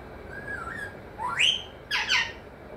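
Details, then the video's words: Talking parrot, said to say mithu, mummy and papa, producing a level tonal note, then a sharply rising whistled sweep, and two rasping syllables, in a quiet room. "mithu mithu,mummy papa Bolney wala tota"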